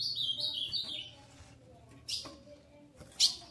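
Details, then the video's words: A female ultramarine grosbeak soliciting mating, ready to breed, gives a quick run of high, sliding chirps, then two sharp, harsh chips spaced about a second apart, over a faint low hum. "Fêmea de Azulão Shakira Pedindo Gala"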